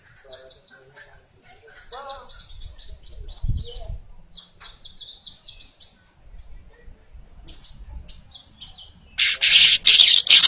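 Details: Baya weaver song recorded as a master track for training other birds: scattered high thin chips and short chattering notes, then a loud, harsh, buzzy sizzling burst in the last second.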